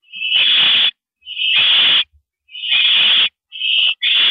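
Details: Owl during a mouse delivery on the evening of April 13 2012, 9:17 PM: four loud, raspy hissing screeches, each nearly a second long, separated by short silences.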